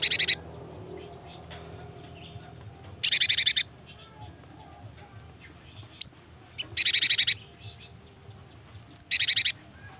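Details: Lure recording of a young, very vocal great tit: short buzzy rattles of rapid pulses repeated every few seconds, with single sharp high chips between them and a faint constant high whine.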